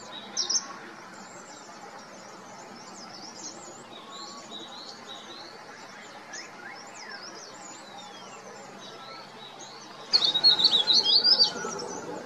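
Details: In the Himalaya in spring, a Verditer Flycatcher atop an oak tree gives a loud, high, rapid trilling warble near the end after a brief opening note, calling to set up a territory before breeding. Faint twittering of other birds runs throughout, and a Hill Barbet calls close by.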